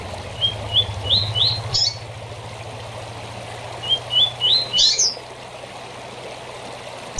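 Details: Double-collared seedeater short tournament song for training birds: two runs of four rising whistled notes, each ending in a high slurred flourish, with a low steady hum underneath.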